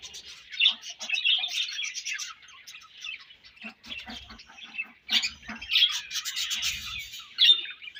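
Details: Budgerigar colony chirping: dense, scratchy high chatter and squawky notes in bursts, with a brief lull near the fourth second before the many-voiced warbling resumes loudly.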